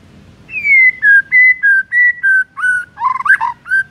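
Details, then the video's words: White-rumped shama (murai batu) morning lure song: a series of clear, pure whistled notes stepping between two pitches about every third of a second, ending in a brief tumbling, warbled flourish. "PANCINGAN EFEKTIF di PAGI HARI , 100% bikin murai batu MALAS BUNYI auto BONGKAR MATERI"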